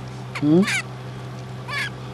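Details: A male zebra finch gives short nasal, honking calls, asking for more when his owner stops petting and grooming him with an ear bud.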